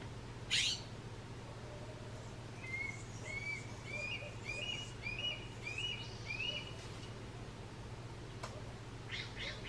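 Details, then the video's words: Juvenile Red-tailed Hawk crying for its parents: a series of thin, upslurred whistled calls repeated about every half second for several seconds, over a steady low hum, with a brief sharp noise near the start. "A juvenile Red-Tailed Hawk crying for its parents"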